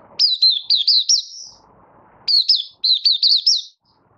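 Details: A Malaysian Oriental white-eye in minor moult, opening its song on 24 August 2023, sings two bursts of high, sweet, rapidly warbled notes, each about a second and a half long, separated by a short pause.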